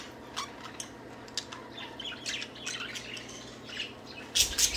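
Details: Budgies at play, singing: steady run of scratchy twittering chirps and warbled notes, ending in a loud harsh squawking burst, faint low hum throughout.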